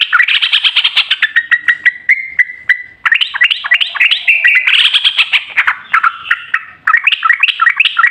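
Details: Yellow-vented bulbul singing in long continuous 'ropel panjang' style, a lure recording meant to make other bulbuls sing; eight seconds of nearly unbroken chattering, bubbling warble with quick rising and falling notes.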